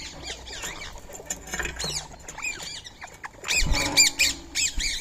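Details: Free-living Indian ringneck parakeets feeding on soaked rice and corn at 6:30 in the morning, 20 March 2025: a dense run of harsh, rising-and-falling screeches from several birds overlapping, with a low thump mid-way.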